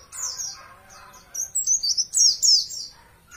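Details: Champion Oriental white-eye on a master recording for training caged birds. Soft low twittering opens, then a burst of bright, high, quickly slurred whistles peaks near the end.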